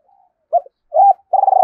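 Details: Spotted dove calling to lure or provoke males: two short low hooted notes followed by the start of a long vibrating coo.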